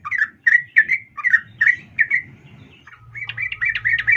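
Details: Female sooty-headed bulbul calling a male, giving a string of loud, slurred chirps about twice per second, followed by a quicker, higher burst of chattering notes over a low steady hum.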